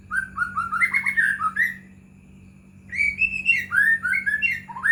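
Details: White-rumped shama lure song for caged birds: two phrases of fast, fluid whistled notes rising and falling, a short silence between them, steady background hum.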